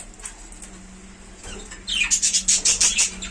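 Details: Budgerigars in a home colony: a burst of rapid, high, scratchy chirps repeated about six times in a second and a half after a quiet start, with a steady low hum underneath.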